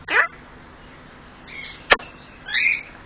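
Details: Pet male superb parrot mimicking human speech: a short falling squawk-like phrase, a quieter warbled note, a sharp click, then another rising-falling speech-like phrase.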